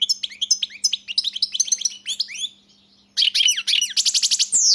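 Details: European goldfinch in continuous song: rapid liquid twittering and slurred whistled notes, a brief pause, then louder buzzy trills and sharp tinkling notes.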